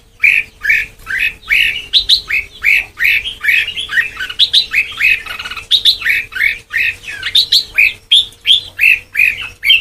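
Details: Red-whiskered bulbul with white cheeks in Sông Kon style song training: a steady stream of short, harsh-edged chirping whistles, nearly three per second, slightly uneven and rolling on for the whole stretch over a quiet low hum.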